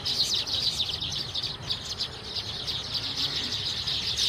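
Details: Several baya weavers chattering together: rapid, overlapping high chirps and sizzling buzzes that run without a break through the short stretch.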